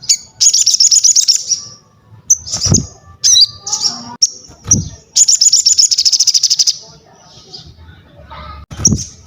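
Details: An actively singing sogon (crested jay) opens with a rapid high rattle, follows with scattered whistles and chips, gives another long rattling run, then trails off in single notes. Occasional soft knocks are heard.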